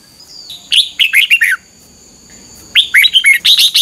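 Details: Red-whiskered bulbul singing in the morning in the "ché" competition style, used to spur other bulbuls into song: two short bursts of clear warbled notes, the first falling, separated by a quiet gap with a faint steady hum.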